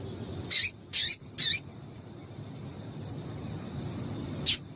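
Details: Female double-collared seedeater call to prompt male singing: a fast run of three sharp high chips, a pause of about three seconds, then one more, over quiet low background noise.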